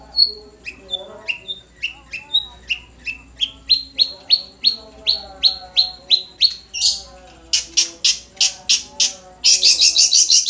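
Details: Nogosari long-tailed shrike song: a steady run of clear, slurred whistled notes repeated about three times a second, shifting into loud rasping bursts and ending in a harsh chattering stretch.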